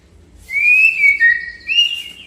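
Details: Male white-rumped shama singing to provoke a rival into answering: loud rich whistled phrase that rises, wavers and falls, then lifts again, with faint overtones above.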